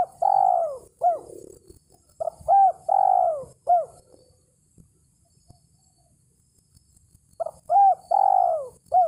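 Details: Spotted dove call used as a lure to draw a rival: grouped short looped coos ending in a drawn-out falling coo, two phrases with a long quiet gap between, low background rumble faint.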